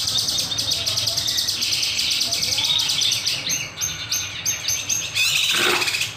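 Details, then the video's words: Kinoy in gacor song for a lure or master track, said to nembak with sharp beset: a continuous rapid high trill, then separate shrill stepped notes, ending in a loud downward-sweeping burst. "Masteran / Pancingan Burung Kinoy Gacor, Nembak, Beset Tajam"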